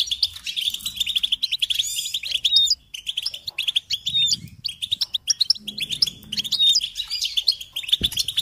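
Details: European goldfinch singing on a stimulation recording for songbirds: energetic, rapid twittering trills with sharp upslurred notes scattered through, brief pauses, and a single low knock near the end.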